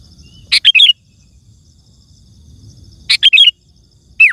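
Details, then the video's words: Sooty-headed bulbul song used to lure wild birds in forest or garden and to prompt caged bulbuls to answer: two loud bursts of quick, bubbly, warbled notes about two and a half seconds apart, with a third phrase starting at the end. "Suara Burung Kutilang Gacor❗ Lantang Bikin Gacor Kutilang Lain"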